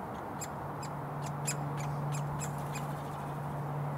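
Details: Woodpecker fledgling demanding food in a Surrey roadside front garden, June 2022. A dozen brisk, sharp calls in quick uneven succession, over road traffic and a steady low mechanical hum.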